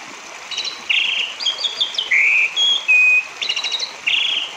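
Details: Orange-headed thrush, recorded to stimulate silent or singing caged birds, delivering a varied song: buzzy blurred notes alternate with flat pure whistles and jittery high trills, each phrase under half a second.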